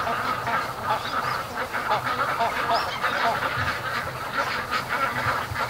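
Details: Flock of domestic ducks rushing home down a creek around six o'clock on October 5, after something spooked them on the lake; dense overlapping quacks and honking calls over a loud, steady rushing noise like wind.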